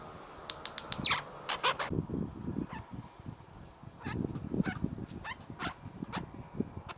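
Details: Male Australian king parrot visiting a garden, showing off while pecking at gum nuts: quick dry clicks and snaps scattered throughout, mixed with soft low pecking and rustling knocks.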